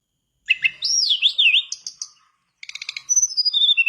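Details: Vigorous mangrove blue flycatcher song meant to stir a silent mangrove flycatcher into singing: after a short silence, a sweeping wavering whistle, then a pause and a rapid stuttering chip run ending in descending clear notes.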